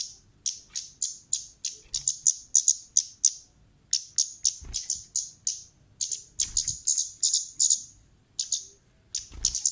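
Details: Female orange-headed thrush giving lure calls: a rapid, uneven stream of sharp, high, clicking chips, about three a second, with short gaps and some doubled notes; faint low background hum.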